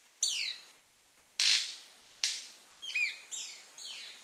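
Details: Golden-collared Manakin males gathered at a lek, calling to attract females in the western cordillera: high, slurred whistled calls falling in pitch, mixed with two sharp, dry wing snaps like a cracking stick, all within four seconds.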